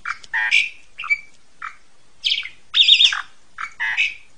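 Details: Asian pied starling song for tutoring juveniles: scattered harsh chattering notes and short whistles in irregular bursts, with a buzzy, rattling phrase near the middle and squeaky notes at the end.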